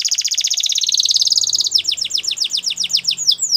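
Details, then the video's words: A Belgian canary, in a song meant for canary training, sings a fast, high, even trill, then switches to a run of quick, sweet, downward-slurred notes, several each second. "Belgian Canary Song"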